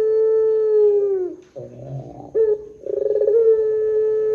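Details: Drawn-out cooing of a pelung Barbary dove played to draw other doves into calling; a long even note tails downward, a low burbling roll follows, then a throbbing start rises into another sustained coo.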